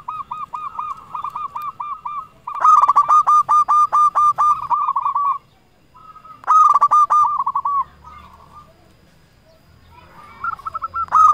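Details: Energetic lure singing of a local zebra dove, aimed at making rivals reply: long runs of evenly spaced hooked coo notes, with a harsher rattling stretch, then a pause and shorter phrases.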